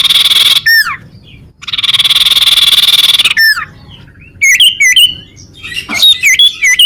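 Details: Common iora recording used to attract birds and provoke rivals: a dense buzzy trill interrupted by swooping whistles, then a run of quick, rising-and-falling whistled notes.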